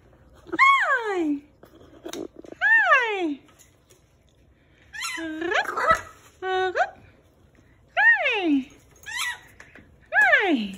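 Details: Blue pet parrot kept indoors in a house, giving loud harsh calls with sharply falling, strongly ringing tones, each about half a second long, spaced a second or two apart across the recording in a quiet room.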